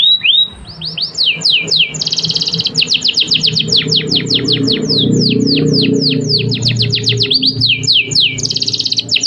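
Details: Canary song used as a master recording to stimulate other birds to sing: rapid series of high, steeply sweeping whistled notes and dense trilled bursts, varied and continuous, over a low background hum.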